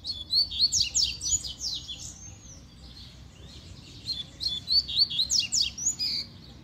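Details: Wild Double-collared Seedeaters (coleiros), two birds found singing on a walk: fast, bright phrases of quick downward-slurred chips and buzzy trills, repeated in two outbursts separated by a quieter gap, over steady low background rumble.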